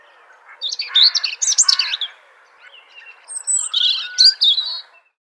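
A robin sings two quick, high warbling phrases of thin, varied notes with a short pause between them. No other sounds are heard.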